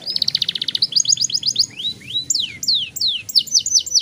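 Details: Young caged canary with a rolling song used to get other young canaries singing, a fast trilled roll, then a run of clipped notes and loud downward-sweeping whistles.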